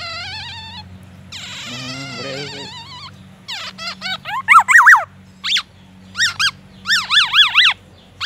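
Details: A caged black-naped oriole, sunned in the morning, sings a varied song packed with white-rumped shama imitations. Wavering whistled tones give way to squeaky notes, then loud zigzag chirps in quick bursts, over a steady low background hum.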